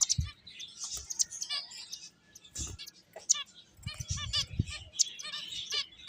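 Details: Playing finches trade quick high chirps and short trilled twitters, with a few low thumps and rustles between bursts.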